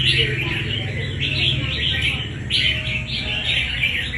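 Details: Red-whiskered bulbul caught wild and raised for fighting contests, delivering busy chirruping phrases in rapid bursts, against a low humming background that may include faint voices.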